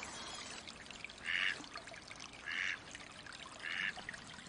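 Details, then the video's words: Three evenly spaced, nasal quacks from a wild Mallard, about one every 1.2 seconds, partly masked by a steady rushing, watery background. "Mallard duck quack / call sounds, flying, bathing"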